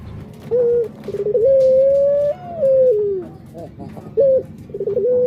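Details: Barbary dove cooing: a short clipped note, then a long drawn coo that rises gently, holds and slides down at the end, followed by another short note and the start of a fresh phrase.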